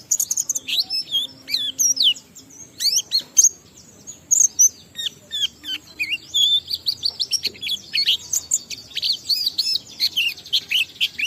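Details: Oriental white-eye singing a continuous high twittering stream, rapid varied chirps and slurred whistles packed together with almost no pauses, meant to stimulate other white-eyes to sing; faint low hum beneath.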